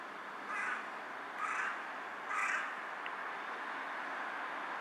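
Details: Perched on a power line and bowing with each call, a carrion crow gives three hoarse, rasping caws, roughly one a second, then falls silent against a steady background hiss.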